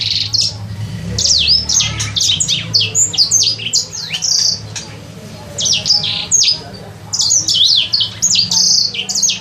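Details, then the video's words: Three-month captive sanger bird learning its sounds: dense bursts of high, clipped whistles and downward slurs, broken by short quieter gaps, some notes buzzy and flat, against a low background hum. "Burung sanger..belajar bunyi..."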